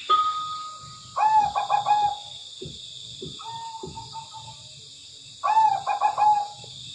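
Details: Zebra dove, tame and in full voice, gives two rolling cooing phrases of quick, soft pulsed notes several seconds apart. A brief higher tone comes first, with quieter short coos between the phrases.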